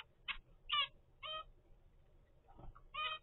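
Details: Captive zebra finch chick aged 25 days from a first clutch raised indoors: nasal, buzzy harmonic calls given in short bursts about every half second, with a gap before a final call, over a low background hum.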